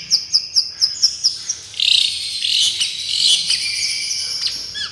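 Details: Long-tailed shrike 'miyik' therapy song: a quick series of about eight evenly spaced, high chirps, then a harsh, buzzy, noisy passage that fades toward the end.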